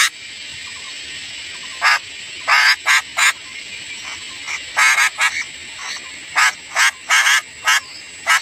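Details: {'caption': 'Young sooty-headed bulbuls beg while a parent feeds them: clipped, grating bursts in pairs and small groups, separated by brief gaps, over a persistent high-pitched tone.'}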